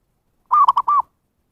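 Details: Zebra dove lure call used to attract wild birds: one clear cooing phrase of three or four rapid, slightly rolling notes, the last drawn out, on a steady mid pitch against silence.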